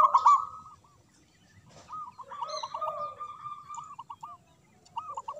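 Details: Zebra dove of a local type, singing from a high perch with a big voice: a loud opening burst, a pause, then quick rolling coos over lower purrs, with high thin chirps from other birds.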